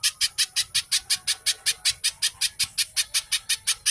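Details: Little spiderhunter (pijantung, cici codot) in fast, tightly spaced 'gacor speed rapat' song, used as a lure to get captive birds singing: sharp, high, buzzy notes repeated about three times a second at a steady pace.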